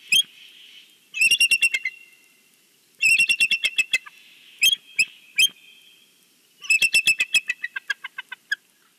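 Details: Bald eagle at a Big Bear nest greeting the valley on a Sunday: three loud runs of high, piercing chattering notes, each run speeding up and trailing into softer, thinner piping.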